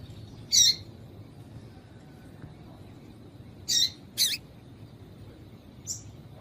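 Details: Calling female Yellow-bellied seedeater, a sound breeders use to stimulate males: a sharp high chirp, then two quick chirps close together after three seconds and a softer final note, with a low steady hum behind.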